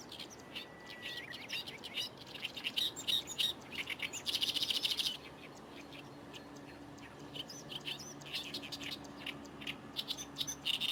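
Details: Oriental reed warbler singing energetically from reeds next to the Fukuoka Airport runway in Japan: scattered harsh, scratchy notes and chattering runs over a low steady hum, broken midway by a short burst of loud broadband noise.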